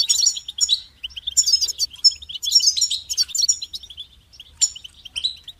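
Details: Short stretch of goldfinch song, a quick tumble of high chirps and liquid twitters, with a few strong trilled phrases and isolated notes toward the end.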